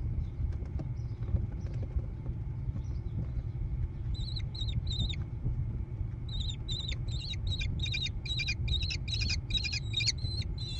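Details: Growing American kestrel chicks in a nest box beside a barn overlooking hilly meadows, Prairie du Chien, Wisconsin, June 2022. Faint calls come at first, then short raspy notes, then a long fast run of scratchy calls over a constant low hum.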